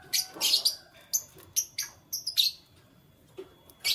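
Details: Morning canary chirping: a rapid string of high, bright chirps, dense at first then spaced about every half second, ending after a short gap with one more loud burst; quiet background.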